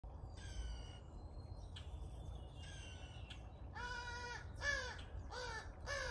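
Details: A pair of crows being fed in the morning, very vocal: a run of harsh, harmonic caws, faint and spaced at first, then louder and closer from the fourth second, arching calls about every half second, over steady low background rumble.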